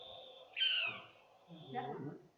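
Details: An Australian Owlet-nightjar, a bird often heard in Mallee country, gives one high, harsh, slightly falling churr lasting about half a second, followed by a man's voice talking.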